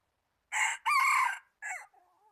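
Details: Red junglefowl used as a decoy bird for trapping wild junglefowl, recorded 26 January 2019: a loud crow in three parts, two long harsh bursts then a shorter falling note, ending with a faint drawn-out tail.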